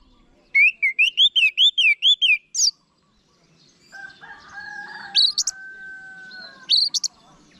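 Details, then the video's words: Orange-headed thrush song used as a tutor for kept birds: a quick run of about eight repeated wavy whistles, then a pause, a steady low droning tone, and sharp high slurred notes. "Guru Vokal ANIS MERAH Agar Selalu Ikut Nyaut Ngeplong di Rumah"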